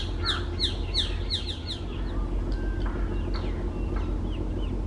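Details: Green bee-eater on tree branches in West Bengal, India: a quick run of bright, high chirping notes at the start, fading to sparser scattered chirps over a constant low hum.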